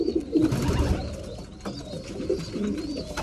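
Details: Pigeons kept for breeding, at mealtime: short, deep, burbling coos repeated by more than one bird, set against rustling and a low rumble.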